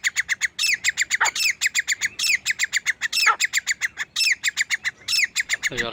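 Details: Lone male grey francolin calling: a fast, steady train of harsh, ringing notes, broken about once a second by louder, rasping phrases. A man's voice begins speaking at the very end.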